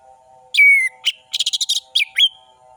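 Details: Lure song of an orange-headed thrush meant to provoke silent birds: a long ringing descending whistle, a short note, then a rapid sharp trill of about eight notes and two final upslurred whistles, over a soft low hum.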